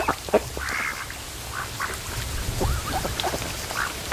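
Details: Domestic ducks lazing at the mouth of a creek on a lake in the afternoon sun, giving soft scattered quacks, a few short nasal calls rising and falling, over low rumbling background noise.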